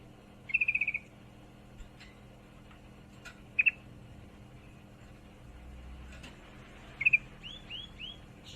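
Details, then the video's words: Sooty-headed bulbul female in heat calling a male, giving three separated bursts of rapid, chattering high notes spaced several seconds apart, with faint clicks and a few soft upward squeaks between them. "trucukan betina birahi memanggil jantan"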